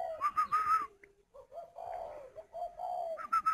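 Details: Spotted doves kept in cages at a breeding farm near Hanoi, Vietnam, giving clipped whistled notes followed by lower, drawn-out cooing phrases, then a return to the higher notes at the end.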